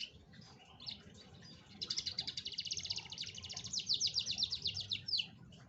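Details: Lure song of an Atlantic canary, meant to prompt a reluctant canary to sing: after a few opening chirps, a long, loud, high trill of rapidly repeated notes rolls for over three seconds, ending in quick descending sweeps, with faint low hum beneath.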